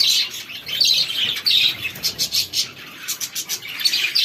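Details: Feeding chicks give shrill, high peeps in quick bursts, with pulsing rises and falls in loudness as several birds call at once.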